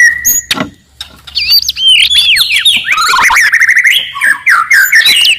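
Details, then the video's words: Wild white-rumped shama in loud, aggressive song to stir up rivals: a steady whistle, then a rapid tumbling stream of varied slurred whistles and chirps running for several seconds, clear and sweet. "KICAUAN MURAI BATU HUTAN, VOLUME KERAS, AMPUH MENAIKAN EMOSI LAWAN"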